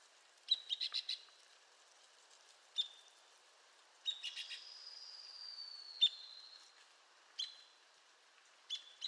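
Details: Arizona woodpecker calling: sharp high 'peek' notes, sometimes in short quick bursts, spaced a few seconds apart, with a long thin descending whistle from another bird in the middle and faint natural background hiss.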